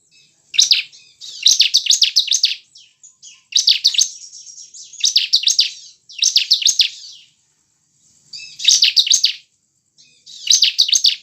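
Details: Caged-bird lure recording of bar-winged prinia: repeated short phrases of fast, shrill, buzzing notes, each burst about a second long, with soft high twitters filling the gaps.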